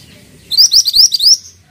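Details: Pied triller, a caged songbird, giving a brisk phrase of about eight rapid, high, slurred whistled notes rising and repeated in quick succession over roughly one second, clear and loud against quiet background.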